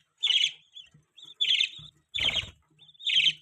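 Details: Four short bursts of loud, buzzy high chirping from a budgerigar, separated by brief pauses, one burst mixed with a low rustle.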